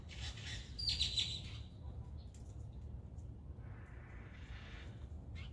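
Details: A Blue Jay eating peanuts gives a quick cluster of high, sharp chirps, then a longer harsh, hoarse note, over a steady low rumble of background noise.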